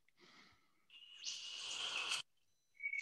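Superb Lyrebird mimicking: a soft murmur, a brief clear whistle, then a loud harsh rushing burst for about a second, ending in a bright rising whistle.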